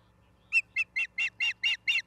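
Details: Osprey at its Charlo, Montana nest, 17 August 2023, afternoon: seven short, clear, squealing chirps in an even series about five per second, over a faint low hum.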